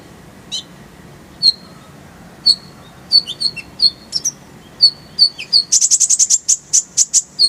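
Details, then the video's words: Purple-throated sunbird song from a masteran tutor recording with full varied phrases and rapid roll bursts: spaced high thin chirps, then a quickening series and a fast run of sharp, very high buzzy notes near the end. "Masteran Kolibri ninja full isian, Roll tembakan Suara jernih"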